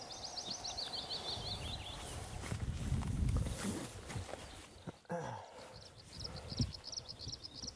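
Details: Bluethroat perched on top of a wire at Fokstumyra, Dovre, Norway, in early summer; bursts of fast, high, buzzy, rattling notes open and close the recording, with a person talking in between.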